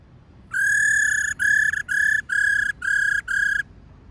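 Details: Calling female laughingthrush, used to stimulate males: one long level whistle then five shorter even whistles in steady succession, each clean and unchanging in pitch.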